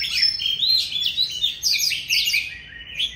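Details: Mature, forest-caught Oriental magpie-robin kept at home, singing loudly: a dense, rapid run of varied whistled and warbled phrases, some slurred upward, with short scratchy notes, continuous for about three seconds.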